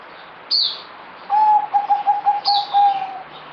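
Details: A kept zebra dove, called merbok, from 08052020, said to be singing somewhat less: a clear string of about eight rapid, even-pitched coo pulses, bracketed by two sharp, descending high chirps from another bird.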